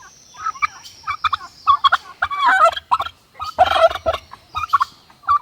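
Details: Farm turkey gobbling in rapid, bubbling, rattling bursts that run together almost continuously, with short gaps, plus a faint steady high whine at the start.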